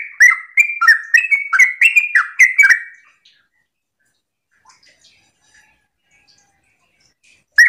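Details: Sooty-headed bulbul in the morning, singing in the rapid 'ropel' style used to prompt other bulbuls to answer: about three seconds of quick, liquid, bubbling phrases with sharp clicky starts, followed by near silence with a few faint chirps and a final note.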